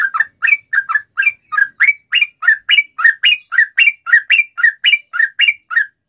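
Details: Sooty-headed bulbul in energetic long song, used to provoke other bulbuls into answering: steady run of short bubbly two-part phrases repeated about twice a second, each rising to a brighter whistled tip.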